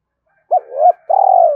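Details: Spotted dove calling to provoke wild doves: a short hooting note slurring into a rising coo, then one long, buzzy, gently falling purr.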